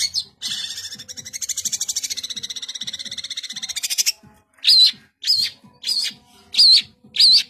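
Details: Long-tailed shrike, called cendet, in full song: a long rattling trill lasting several seconds, followed by loud whistled notes repeated about every half second.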